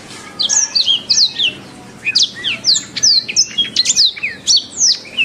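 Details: Canary tutor song for training other birds: an unbroken string of sharp, high downward-sliding whistles and chips, several notes per second, loud and steady with a faint hum behind.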